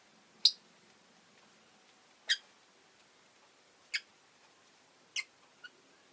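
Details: Rosy-faced lovebirds, two pets clustered at an entrance, give short sharp high chirps roughly every one to two seconds, five in all, fading somewhat, over a quiet hiss.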